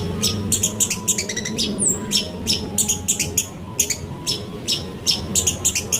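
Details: Long-tailed shrike song played as a lure to prompt other birds to sing: harsh, buzzy high chattering bursts in quick uneven succession, roughly three or four per second, with a steady low rumble underneath.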